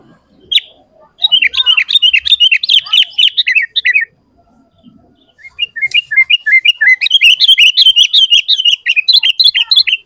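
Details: Energetic sooty-headed bulbul song played to make other bulbuls noisy: two long runs of fast, repeated, chirping notes sliding up and down, separated by a brief quiet gap.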